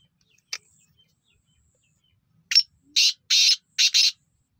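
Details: Kept black francolin calling: after a lone faint click, a run of four or five harsh, rasping high-pitched bursts, each about a third of a second, the last two closely paired, in a quiet indoor setting.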